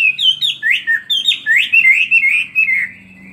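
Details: Chinese hwamei kept in a cage for two years sings a fighting song, tail spread: loud looping whistled phrases that swoop up and down, tumbling rapidly one after another, with a faint low hum beneath.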